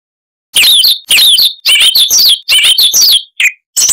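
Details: Song of a Siberian rubythroat, a small bird whose varied chattering song can last minutes: dense high warbled phrases with sliding whistles, delivered in quick clusters with short gaps, clean background.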